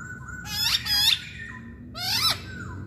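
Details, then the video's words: Chinese hwamei giving three loud harsh, rasping, richly overtoned notes that sweep down then up, linked by soft level whistles. "Kicauan Poksay Hongkong"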